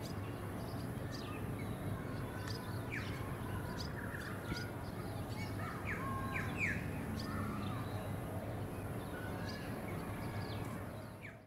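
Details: Welcome swallow recorded on the Sunshine Coast, Queensland, in October 2022: a run of short, sharp chirps and thin twitters, some slurred downward, given irregularly and sometimes in quick clusters over a steady low rumble of background noise.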